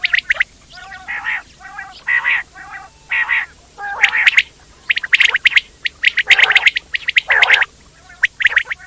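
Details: Quail giving a run of short buzzy, rasping bursts alternating with sharp high chirps, about one burst per second, growing louder and denser toward the end; quiet background.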